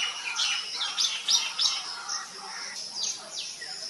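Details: Common Myna chicks, three hungry juveniles in a nest cavity in an old coconut trunk in sunny coastal Odisha, being fed by a parent: quick bursts of harsh downward-sweeping chirps, about three per second, over a steady high insect hiss.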